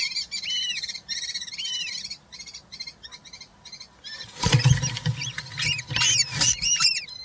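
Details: Nest of European rollers with three chicks, filmed by a live camera on 20 June 2023 during feeding. Arched, repeated squeals, then a burst of rustling and thumping as calls grow louder and more ragged.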